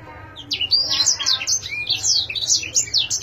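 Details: Brief burst of canary song: a quick run of high, slurred chirps and a rising whistled note, fast and continuous after a quiet start.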